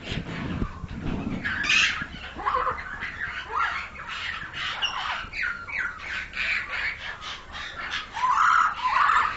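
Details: Pied myna being raised in captivity, giving harsh squawking calls and chattering notes in irregular bursts, with louder strident calls near the end and some handling noise at the start.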